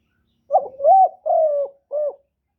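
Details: Single cooing phrase from a spotted dove decoy in the single-ending style aimed at wild doves: four low, mellow notes, a short wobble, a rising note, a long level-falling coo and a brief closing note.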